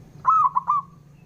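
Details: Provoking rival males to reply, a male local zebra dove from Java utters a clear, close three-part coo: a long level note, a short dip, and a final trailing note.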